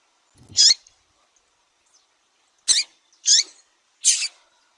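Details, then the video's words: Female double-collared seedeater calling to arouse males: one sharp, high chip followed after a pause by three quick squeaky notes at roughly half-second intervals, with a faint low sound under the first note. "FÊMEA DE COLEIRO CHAMANDO MUITO QUENTE FOGOSA E PIANDO"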